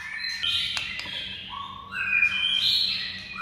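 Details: Fainter White-rumped shama song over steady background hiss, with sliding whistles and high notes, from a training recording for prompting silent birds to sing.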